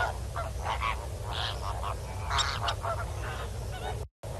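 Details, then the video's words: Northern black korhaan pair, male and female, recorded at Kamfers Dam on 7 December 2021 at 6 PM; loud, grating croaks in an irregular series over a low constant rumble, ending in a brief dropout. "Northern black Korhaan, male and female."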